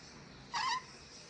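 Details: Ornate lorikeet from Sulawesi, used as a tutor recording for training birds: a single short harsh screech with stacked bands, about a quarter second long, over faint steady background hiss.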